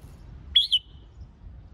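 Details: Red-whiskered bulbul for contest-singing practice gives a single brief two-part whistle, bright and slightly slurred downward, then silence over a low hum.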